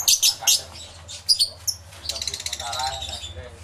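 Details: Numerous lovebirds calling in an aviary, recorded with two external microphones: a few loud sharp squeaks, then a steady high, pulsed twittering with a lower warbling note mixed in.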